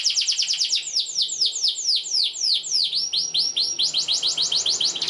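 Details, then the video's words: Canary song for training young birds: an unbroken series of quick downward-swooping chirps, about four to five a second, bright and rapidly repeated throughout. "PANCINGAN Kenari GACOR PANJANG Cuit2 EMOSI ini AMPUH utk MASTERAN Kenari PAUD belajar BUNYI"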